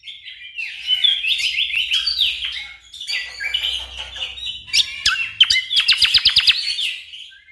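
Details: Orange-spotted bulbul, gacor, recorded to teach competition songbirds: long continuous jumbled warbling in high, trilled phrases, then sharp clicks and a fast series of evenly repeated high chips before fading.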